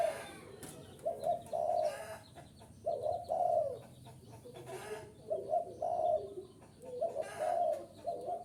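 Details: Spotted dove luring call: hoarse, repeated coo phrases in clusters of two to three notes every second or so, mixed with crisp clicking chirps and faint rustles.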